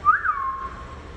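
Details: Two pet rose-ringed parakeets making noise: one drawn-out whistled note that rises briefly, then slides down and fades over about a second.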